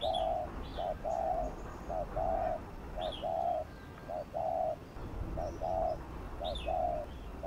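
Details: Spotted dove giving gù cooing, used to stir newly caught caged doves into calling. Low, hollow coos come in a steady string of short and longer notes, roughly one a second. Faint high chirps of other birds sound over rural background noise.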